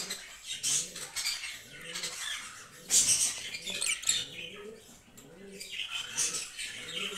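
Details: Green lovebirds kept for breeding, chattering in a dense run of high, harsh squeaks and chirps that come in bursts, with quieter gaps and soft low rustling between.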